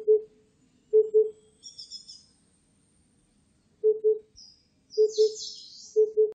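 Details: Oriental cuckoo (Cuculus optatus) giving low, hollow paired hoots, 'poo-poo', about once a second, with faint high chirps and trills from small birds above; recorded 2020.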